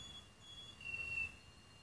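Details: A male canary born 15 March 2018, recorded 25 October 2018 in Anapa, sings pure, high, steady whistled notes, each held for about half a second, over a faint low hum.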